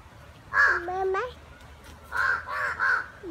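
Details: Crows in a fight give a hoarse caw that slides into a bent, rising tonal call, followed by three rasping caws in quick succession and a final short note.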